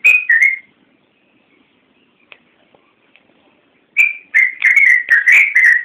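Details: Yellow-vented bulbul singing lively, full song used as a master recording for training caged birds. Loud liquid whistled notes open, then a near-silent gap, then rapid bubbly phrases of rich, slightly falling whistles tumbling together until the end.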